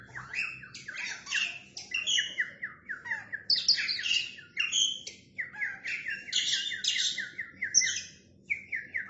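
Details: Oriental magpie-robin, male, singing hard with tail opened: fast continuous medley of descending whistled slurs, scratchy trills and high squeaky notes, packed closely with few gaps.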